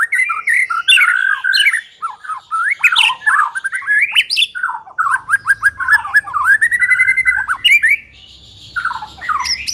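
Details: White-rumped shama singing as a trapping lure, with loud varied whistled phrases, sweeping slurs and scratchy notes, then a quieter stretch and a few closing whistles.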